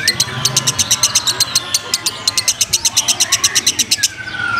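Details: Konslet-type competition lovebird from Purwakarta, Indonesia, singing a fast run of sharp, high chirps, several per second, held for over four seconds, with faint human speech beneath.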